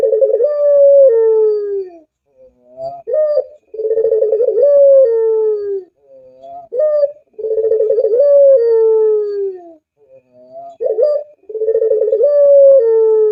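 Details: Barbary dove (local puter, pelung type) cooing: a stuttering then long, drawn-out low hoot that slides downward, about two seconds long, with short rising notes between phrases, repeated roughly every three to four seconds; quiet background.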